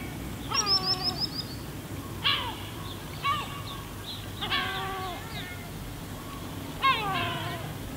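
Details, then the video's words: Gulls calling on the pebble beach of Paolina on Elba: a rapid string of high yelps opening, then separate harsh, downward-sliding, strongly harmonic cries every second or so, over a low steady wash of waves. "Gabbiani suono rilassante"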